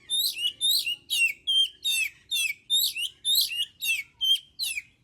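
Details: Oriental magpie-robin song meant to spur other birds to sing: a steady run of about eleven rasping, chattering phrases, each ending in a lower slurred note, repeated roughly twice a second without a break.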